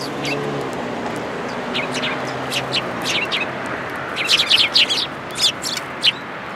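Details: Eurasian tree sparrows coming to be fed at a Tenmangu shrine on 19 January 2022: short, high chirps, scattered at first, then a dense burst of overlapping tweets near the end over a steady low hum.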